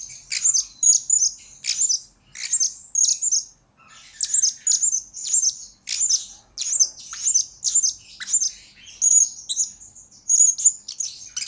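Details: Blue-crowned hanging parrot used as a lure bird, recorded as tutoring material for future lure birds, delivering a steady run of rapid, shrill high-pitched chirp clusters repeated roughly twice per second throughout.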